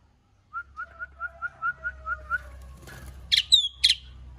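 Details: Asian pied starling singing actively: a run of about eight short, even whistled notes, then a burst of loud harsh, squeaky notes with a rising slurred whistle, over faint low background hum.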